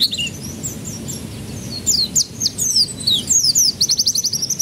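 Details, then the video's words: Canary song played to prompt young canaries into singing: a few high whistles, then rapid twittering and a fast repeated trill near the end, over low background rumble. "Pancingan Kenari Paud Agar Cepat Pecah Suaranya"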